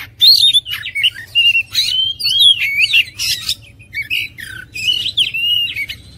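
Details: Oriental magpie-robin pouring out a rich medley of slurred whistles and harsh chattering notes, almost unbroken for six seconds, with pitch sweeping up and down between phrases over a low steady hum.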